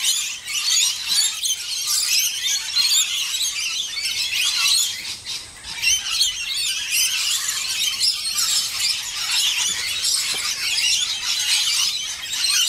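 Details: Rainbow lorikeets bathing and feeding together keep up a dense wall of shrill screeches and chattering calls, with barely a pause in the racket.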